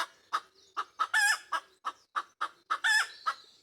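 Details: Pekin Bantam chicken hen singing the egg laying song: a run of short, evenly spaced clucks about every third of a second, broken by two longer, harsher squawks.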